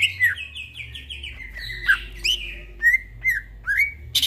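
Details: Late-night gacor singing from a greater green leafbird: a string of descending whistled slurs, then separate clear whistles rising and falling about once a second, ending in a brief harsh noise; faint hum in the background.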